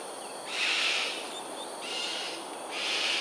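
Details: Three broad, hoarse screeches, each roughly half a second, from cockatoos in aerial display over Sungei Ulu Pandan, Singapore, early morning of 13 January 2022, 7.43am, with constant hiss behind.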